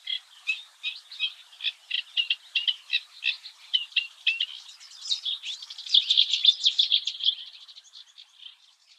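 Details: Eurasian reed warbler, recorded singing early in the morning at the Oostvaardersplassen, Netherlands: evenly spaced chirping notes speed up into a dense, loud chattering burst, then fade to softer notes.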